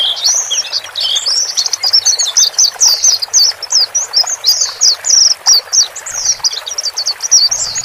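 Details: High, fast chattering twitter from male and female white-eyes, played so a freshly purchased bird settles quickly into a solitary cage; continuous squeaky chirped phrases throughout.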